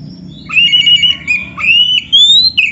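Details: Clear, sustained whistled phrases from a white-rumped shama, played as a master song for kept birds: long smooth notes that slide gently upward, broken by brief pauses, over a low steady hum.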